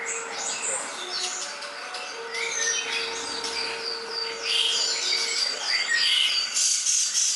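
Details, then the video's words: Greater green leafbird (cucak ijo) in a tutor recording for songbird training: a varied, fast warbling stream of sliding whistles, sharp chips and buzzy trills, growing louder toward the end, with a steady low hum underneath. "masterancucak ijo"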